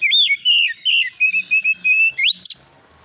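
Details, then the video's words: Oriental magpie-robin lure song with fill-in phrases, opening with long loud whistles, then shorter clipped whistles on one pitch, a rising slur and a high squeak. "TERBUKTI AMPUH KACER AUTO NYAUT EMOSI KONSLET masteran burung kacer nembak isian"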